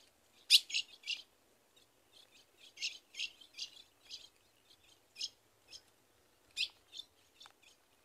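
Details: In Rio Grande do Norte's caatinga, a female ultramarine grosbeak calls to get the male ready to mate. Crisp high chip notes come singly and in quick pairs or triplets with short gaps, over a quiet background.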